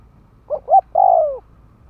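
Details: Decoy spotted dove cooing to lure wild doves: two short rising hoots followed by a long, drawn-out note that slides downward, over a faint low background hum.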